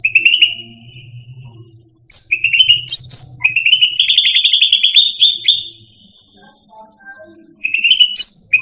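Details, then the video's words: Master recording of cucak rante (Indonesian grassbird) song: repeated trilled bursts and high whistles, one extended rattling trill of several seconds, with a faint low hum in the first half. "Suara Burung Cucak Rante"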